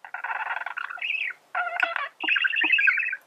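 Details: Male budgerigar singing: long buzzy, chattering warble in dense harmonic bursts, a short arched whistle, then two more gravelly warbling phrases separated by brief pauses.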